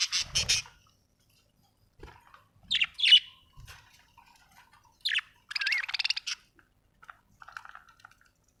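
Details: Budgerigar: loud scratchy squawk bursts separated by pauses, a long, rapid, buzzy chattering run with a whistled wavering tone, then quieter soft chirps.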